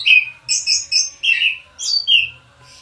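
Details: A continuous Orange-headed thrush song of overlapping whistled notes, some sharp and high, others rich and downslurred. Phrases come in quick bursts separated by brief gaps, against a faint low background hum.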